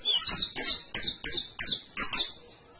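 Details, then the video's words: Canary song phrase of six high, harsh chirping notes, each spaced roughly a third of a second apart, the final note trailing off into quiet. "CANARIO CANTO"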